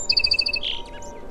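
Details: Short song sparrow phrase: a rapid, evenly spaced run of bright double-toned notes running into a single buzzy burst, with faint hum and noise beneath.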